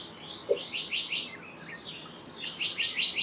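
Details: Black-naped monarch, also called black-naped blue flycatcher, singing two quick runs of high, rising, slurred notes, three or four to a run, separated by about a second. Scattered thin chirps and a brief low knock are also heard.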